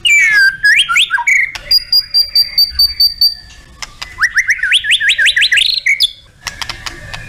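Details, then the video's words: White-rumped shama song with full fill-in phrases: swooping whistles, a fast metallic ticking run, then a rising ladder of quick upslurred notes and a final clear whistle. "TEMBAKAN MURAIBATU & ISIAN LENGKAP"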